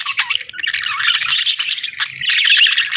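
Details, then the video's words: Budgie chirping in an unbroken, dense stream of high, scratchy warbling chatter, busy and fast with no pauses. "Sweet Budgie Chirping Sounds"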